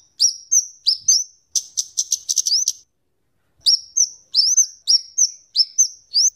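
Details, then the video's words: Kemade, the scarlet-headed flowerpecker, singing a song used for luring and tutoring birds: a series of sharp rising slurred notes, a tight volley of high ticks, then further upslurs spaced about every half second. "suara burung kemade atau cabe cabean gacor cocok untuk pikat dan Masteran"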